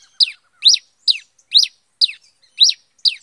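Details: Pileated finch singing in scrubby bush, called cravina or cabeça de fogo in Brazil: steady, clear, high chirps that slide downward, seven in just over three seconds, about two per second, with nothing else audible.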